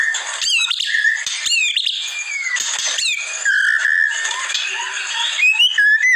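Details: Masteran training song for white-rumped shama. Rapid, overlapping phrases of clear whistles and harsh squawks, including a long falling whistle near the middle, then rising and falling whistled notes toward the end, over a constant high background hiss.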